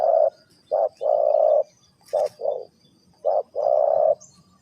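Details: Spotted dove calling '3 kuk hoi', coarse low coos in short-long pairs with a brief crackle in between, over a faint steady hum.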